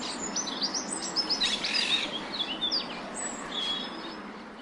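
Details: Parakeets calling from a flock: a dense chatter of short, high, squeaky chirps and whistled notes overlapping continuously, set against a steady background hiss.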